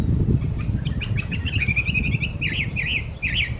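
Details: Chinese hwamei singing in Okurayama Park: a quick run of varied slurred whistled notes, then repeated wavering rising-and-falling phrases, over a steady high insect drone and a low rumbling background.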